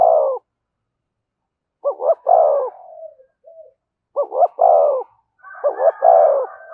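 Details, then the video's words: A spotted dove coos in the deep 'giọng thổ' style with 'thúc' and 'kèm' phrasing, giving four phrases, each a quick stuttered pair and a long, mellow coo, roughly two seconds apart. Faint higher notes overlap the last one. "tiếng cu gáy giọng thổ thúc và kèm hay nhất"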